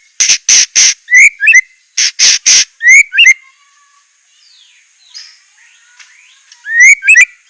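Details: White-rumped shama delivering a loud 'isian' song: harsh broadband rasping bursts alternating with short upward-curling whistled notes, a brief quieter pause, then the rasps and whistles return.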